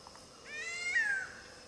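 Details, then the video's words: Gray-headed Kite (Leptodon cayanensis), likely Campo Mourão, Brazil, gives a single cat-like mew, rising then sliding down over about a second, against a quiet background. "CANTO DO GAVIÃO-GATO"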